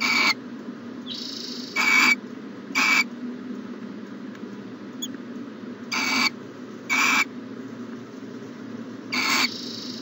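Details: Owl at a nest box on a January morning in 2020, giving harsh, breathy hissing screeches, each about a quarter second long. Six bursts come at uneven intervals over ten seconds, over a steady low background hum.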